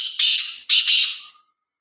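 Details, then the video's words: Black francolin near Khushab giving two loud, rough, scratchy notes, each fading away. Nothing else is heard behind the calls. "kala teeter ki awaz"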